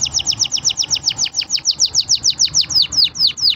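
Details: Green canary song: a regular run of clear downslurred whistled notes, about five per second, high-pitched and evenly spaced.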